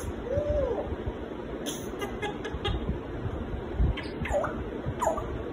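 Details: A pet African grey parrot talks, saying "Allahu" and "MaShaAllah" in short, voice-like phrases with arching and falling tones, over a steady low room rumble.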